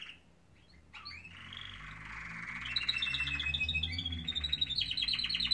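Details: Canaries singing in the morning; after a quiet start with a few squeaky notes, a rolling trill builds into rapid repeated high notes, over a low background hum.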